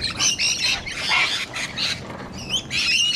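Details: Cockatoos outdoors in Sydney, Australia, where sulphur-crested cockatoos and rainbow lorikeets gather; harsh, high screeching squawks come in loud bursts of about half a second, several overlapping, with short quieter gaps between them.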